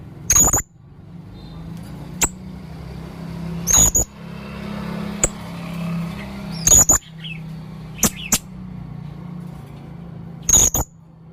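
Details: Male blue-crowned hanging parrot, singing actively with varied odd notes: single piercing, very high metallic chirps repeated every few seconds, with softer clicks between them and a steady low background hum.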